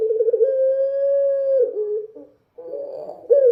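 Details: Long, smooth, even coo from a dove at night, held for over a second and a half before dropping, a short silence, then rougher notes and a final coo.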